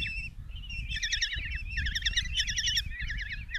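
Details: Five Common kestrel nestlings in a nest box, Tiszalök, Hungary, 27 June 2024, begging during a mouse delivery by the mother. A single drawn-out wavering whine leads into dense, loud trilled bursts from several chicks.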